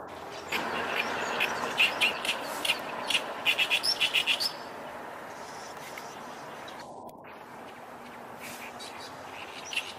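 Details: Oriental reed warbler perched about 8 m away, staying over ten minutes, filmed handheld on a cloudy day; a run of harsh, chattering notes repeated rapidly for about four seconds, then a faint background hiss.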